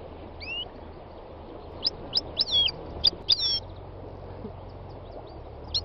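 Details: A wild European goldfinch gives a rising whistle, then a fast run of sharp chips and twisting liquid notes in a short burst, with a constant low hiss behind.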